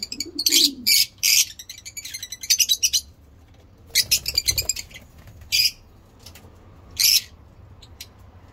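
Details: Lovebirds kept for breeding chatter in rapid bursts of grating, high chirps, a long run of calls at the start, then a second burst and two lone shrieks.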